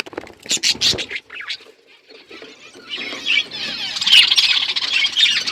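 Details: Budgerigar flock in an outdoor aviary, chirping: bursts of dense, high scratchy chatter early on, a quieter gap, then a rising wall of overlapping warbled chirps and squeaks from many birds.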